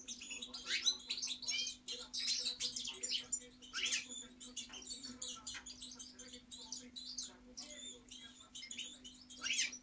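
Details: European goldfinch twittering in short bursts of high chirps and tinkling notes separated by brief gaps, softer and more scattered, over a constant low hum.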